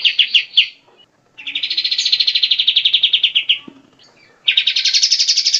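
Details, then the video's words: A kept bulbul ('kapas tembak') sings a long song used as a master recording for training other birds: long, rapid rattling phrases of high, chattering notes, several per second, separated by brief pauses. "Kapas tembak panjang"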